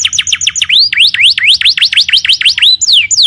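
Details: Canary singing as a training master for other birds: quick high notes, then a run of bright V-shaped swooping whistles repeated several times a second, ending in sharp falling notes.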